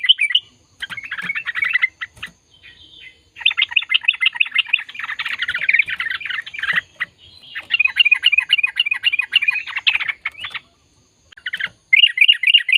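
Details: Lengthy chattering gacor ropel song of a yellow-vented bulbul, dense bursts of rapid, bubbly chirping notes broken by brief silent gaps.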